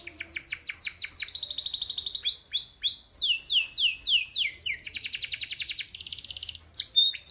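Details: A canary sings a rapid series of repeated descending notes that runs into a dense bright trill, then into quick downward-sweeping whistles and another fast rolling trill, all high and clear.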